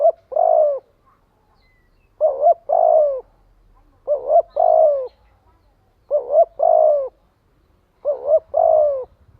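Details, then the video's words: Spotted dove repeating its luring, flock-gathering call five times at steady two-second intervals, every phrase a rapid wobbling double coo followed by a longer downward-sliding note; faint low rumble in places. "Tiếng chim cu gáy kích bổi gọi bầy hiệu quả."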